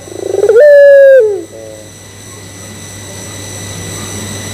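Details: Barbary dove of the puter pelung type giving a lure coo meant to provoke other doves into cooing: a brief rising start, then one loud, steady, sustained coo of about half a second that drops away, over a faint electronic hum.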